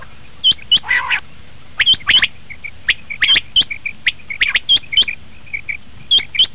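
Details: Common quail call, used to lure quail for hunting: sharp high whistled notes, mostly in pairs, about every second and a half, with softer chattering and rasping calls in between.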